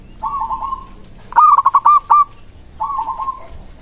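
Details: Local zebra dove sounding the song said to make other zebra doves reply immediately; a soft rolling trill, a loud punchy sequence of clipped coos, then another soft trill.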